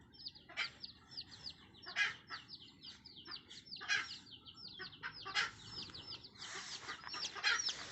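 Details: Red junglefowl mother hen in the wild summoning her young, short harsh clucks spaced roughly every second, almost drowned by a steady stream of high, sweet descending peeps from the chicks and faint background hiss.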